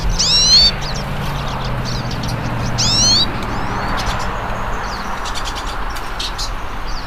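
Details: Hooded siskins singing in nature: two loud, sweeping whistled phrases about two and a half seconds apart, followed by faint scattered chips, with a low engine-like hum underneath.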